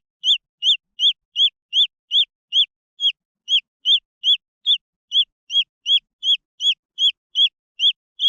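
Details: Peeping of green junglefowl chicks, a long run of bright, high arched notes at a steady pace, nearly three per second, clear against a silent background.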